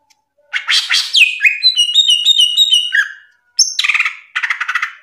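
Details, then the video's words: Greater green leafbird (cucak ijo) singing in loud, in-form 'ngeplong gacor' style, used as a tutor recording for young leafbirds: harsh chattering bursts, then a run of clear whistled notes at stepped pitches, followed by rapid buzzy trilled phrases. "SUARA CUCAK IJO NGRPLONG GACOR"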